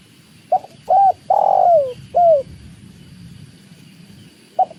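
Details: Spotted dove (tekukur) near water delivers a full cooing phrase, a quick note, a hooded coo, a long falling coo and a falling end note, then a pause of low rushing water before a new phrase starts.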